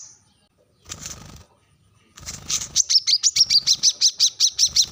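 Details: Brown-throated sunbird's sharp rival call: after two bursts of rustling, broadband noise, a quick run of high, clipped chips builds up and repeats rapidly.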